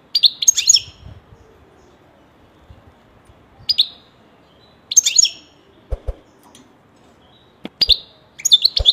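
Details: A kept European goldfinch utters brief groups of sharp, high tinkling chirps, spaced a second or more apart, with a few soft low clicks in the background.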